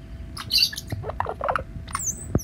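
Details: A pet cowbird in flight indoors gives a few thin, high squeaks and then a thin, very high whistle that slides downward, over indoor thumps and patter.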